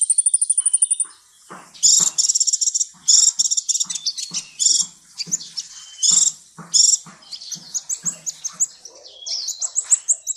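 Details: Sunbird of the 'ninja' type heard as a training song for magpie-robins and shamas: a high, fast, ringing trill opens, then loud buzzy bursts of chatter break up the phrase, and rising squeaky whistles follow.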